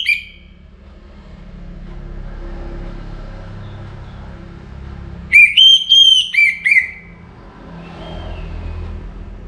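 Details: An Orange-headed thrush sings before morning in north Bali, a recording used as a lure to get other birds singing. It gives a loud phrase of rich, clear whistled notes lasting about 1.5 seconds, with softer whistles before and after, over a low rumble.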